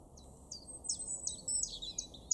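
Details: A common chiffchaff in a garden in Weener, East Frisia, northwest Germany, in April 2023 sings high, thin, downslurred notes, about three per second, over a soft low background hum.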